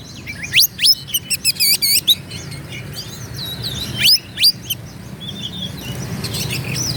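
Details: Oriental magpie-robin in provocative song toward rivals, opening with sharp rising whistles and a fast rattling trill, then quieter twitters and two more high upslurs partway through.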